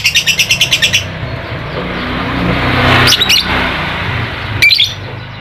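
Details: Lovebird ngekek, a lure for getting a quiet lovebird to sing: one second of fast, regular, high chattering pulses, then broadband noise with a few scattered sharp chirps.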